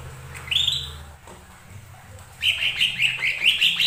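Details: Lesser green leafbird song used as a lure to provoke other birds to sing: a rising whistled phrase, then a quick run of repeated chirpy, slurred notes around the upper-middle register.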